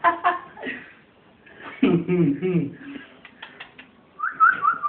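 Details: A pet ringneck parrot of uncertain sex, which the owner cannot tell is a boy or girl, makes choppy, voice-like bursts of mimicked laughter, with a drawn-out throaty chuckle in the middle and a wavering whistle at the end.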